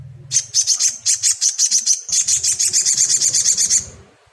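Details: Crimson sunbird song used as a lure to make an untrained caged bird sing: a fast, evenly pulsed series of very high, sharp chipping notes running for about three and a half seconds, then stopping.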